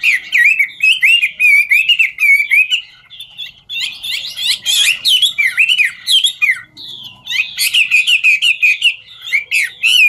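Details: Chinese hwamei singing and dancing in 'ngũ trường' style: fast series of clear, looping whistled notes repeated in rhythmic runs, interrupted by harsh rasping bursts, then more rolling whistles at close range.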